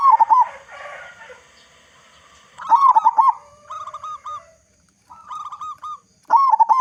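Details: Loud-voiced local zebra dove from Indonesia cooing, used to prompt other zebra doves to sing. Three short bursts of rolling, quavering notes, with softer trailing phrases between them.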